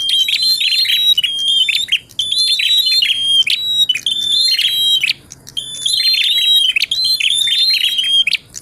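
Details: Bar-winged prinia song in tilek and ngalun style for singing-contest simulation training: repeated loud bursts of fast, piercing whistles and scratchy chatter, each burst roughly a second long, with a longer gap near the middle.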